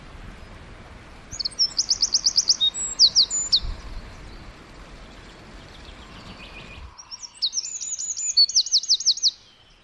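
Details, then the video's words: Forest wren chirping: two bursts of fast, ringing high trills, each a run of rapidly repeated sweeping notes with a few sharp accents, separated by a quieter gap over a low background hum that suddenly stops. "1 Hour Of A Bird (Wren) Chirping In The Forest"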